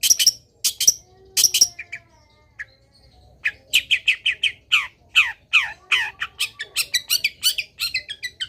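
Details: Long-tailed shrike singing actively, a training song meant to set other shrikes singing: a few sharp high chips, a short pause, then a fast run of buzzy, downslurred chattering notes that speeds up toward the end.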